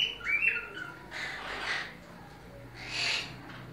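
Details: A captive monk parakeet in a breeding setting gives a quick burst of harsh, scratchy chatter, followed by two rougher, noisy squawks about two seconds apart.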